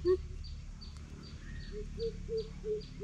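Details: Greater coucal in a challenge bout: one deep hoot, then after a pause a steady run of low, booming hoots repeated about every third of a second. Rhythmic high insect chirps and low background hum continue throughout.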